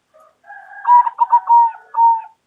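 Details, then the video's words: Local Indonesian zebra dove giving a loud, bold call: a soft lead-in then a series of rounded coos, several quick pulsed notes followed by a longer sustained coo, all in a narrow mid pitch. "Perkutut Lokal Gacor Suara Lantang Keren Banget Bikin Nyaut"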